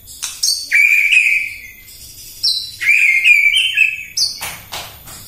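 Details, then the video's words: White-rumped shama singing fully in the morning as a lure for other birds: three rich whistled phrases, each opened by a high clipped note and followed by a warbling slur, with sharp clicks at the end. "PAGI-PAGI MURAI AUTO EMOSI MENDENGAR PANCINGAN INI❗ GACOR FULL❗❗"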